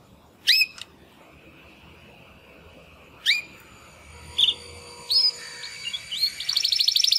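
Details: Two young male Timbrado canary brothers, hatched in 2020, practising song after their first molt; scattered upward-sweeping whistled notes spaced seconds apart, ending in a fast rapid trill.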